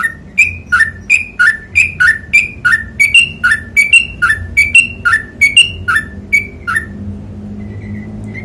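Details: Trucukan, the sooty-headed bulbul, in ropel panjang song: a fast, steady string of bright two-part whistles, high then lower, about three per second for seven seconds before fading to quiet, over soft low hum.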